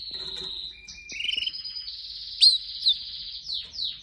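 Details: Pet canary giving soft, sustained high whistled notes with a brief lower buzzy phrase, a few sharp rising chips and downward slurs toward the end, fairly quiet.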